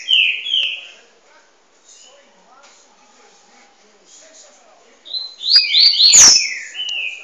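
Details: A captive Double-collared seedeater in song training gives two clear, slurred whistles, a quiet pause with faint chips, then a fast, bright run of sweeping, twittering notes and a sharp click.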